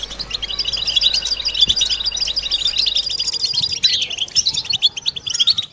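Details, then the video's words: Several European goldfinches in a collective twittering chorus, used to coax mating song from males and females; continuous overlapping high tinkling trills and rapid chirps run throughout, thinning slightly near the end. "بتبتة حسون جماعية ضرورية لعلاج سكوت+تحفيز إنات لحسون قوى بتبتة جماعية لتحفيز حسون على تغريدة تزاوج"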